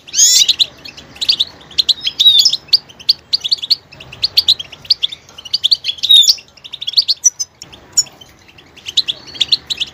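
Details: Goldfinch song with great diversity: bursts of rapid twittering and bright trilled notes, sharp upward whistles, separated by short silent gaps between phrases.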